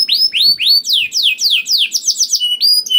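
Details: Canary song to stir other canaries into song: clean rising whistles, then quicker falling slurs and a few high thin notes, in a clear recording.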